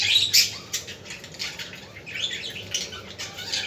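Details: Budgerigar chatter: a continuous run of harsh, scratchy high chirps and squawks with uneven loudness, the busiest burst near the start, with no other clear sounds.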